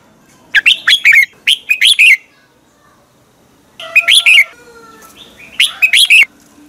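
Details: Red-whiskered bulbul morning training song, played to stimulate young bulbuls to sing strongly: several tight clusters of clear whistled notes, rising and falling quickly, delivered in two groups with a silent gap between them.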